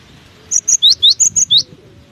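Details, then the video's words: In strong wind, a cinereous tit sings one crisp phrase of about seven high whistled notes, alternating flat and rising notes in an even rhythm, with soft wind noise below. "Diterpa angin kencang! burung gelatik batu ini tetap gacor"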